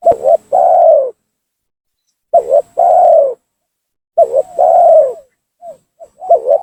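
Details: Tekukur, the spotted dove, giving a lure call meant to bring rival doves down: three loud phrases, each a brief warbled note followed by a drawn-out descending coo, separated by pauses of over a second.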